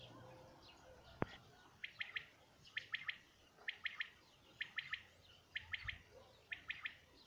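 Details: Common quail song, recorded in 2019: a quick three-note liquid phrase repeated about six times, roughly one phrase every second, steady and clear, with one sharp click near the start and a quiet rural background.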